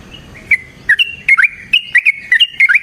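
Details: Yellow-vented bulbul song used as a lure to provoke another bird into singing: short whistled notes near one pitch, each with a quick bend or flick, given in pairs and small clusters with sharp clicking attacks.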